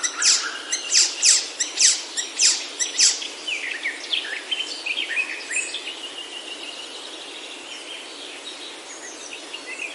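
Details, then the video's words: Birds in Himalayan oak forest, Himachal, India, on a mountain trail: a rapid series of sharp, loud chirps over the first three seconds, then quieter scattered whistles and tweets. "Himalayan Oaks Alive with Birdsong"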